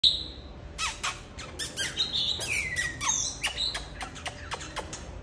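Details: Oriental magpie-robin, a black-and-white bird singing and displaying enthusiastically at a keeper's home: scattered sharp clicks and tapping sounds, with a few thin high whistled notes and a falling slurred whistle near the middle.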